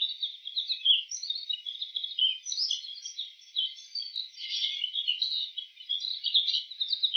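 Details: Bull-headed shrike imitating other birds, all sounds from one shrike: an unbroken, rapid chatter of high squeaks, trills and twitters, varying constantly in pitch, over faint background hiss.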